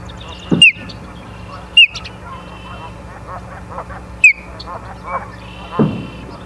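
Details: Osprey at a live-camera nest in Charlo, Montana, recorded 30 August 2023 at 23:23; three sharp, high, downslurred chirps spaced over about four seconds, over a steady low hum and scattered faint background calls.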